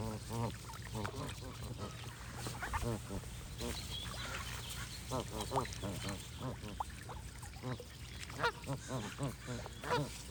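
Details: Continuous goose clamour, many birds honking at once in rapid nasal bursts, some sharper calls rising out of the crowd toward the end, with faint high chirps of other birds.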